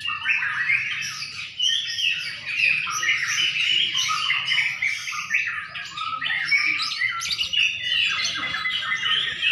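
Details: Singing-contest white-rumped shama in Sidareja, Indonesia, delivering an unbroken stream of rich whistles, rapid trills and chattery notes that shift pitch constantly, several voices seemingly overlapping, with low background rumble.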